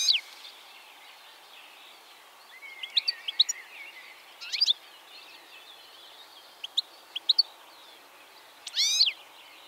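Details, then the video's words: Male European goldfinch in the Czech Republic, perched on a plant feeding on seeds and calling to his mates, gives short bursts of bright, liquid twittering every second or two over a faint steady hiss. "European goldfinch"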